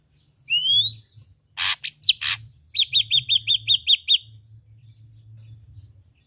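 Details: Ashy drongo with red eyes in lively song: a single upward-sweeping whistle, a pair of coarse broadband rasps with a short whistle between them, then eight sharp repeated downslurred notes delivered evenly over about one and a half seconds, over a low hum.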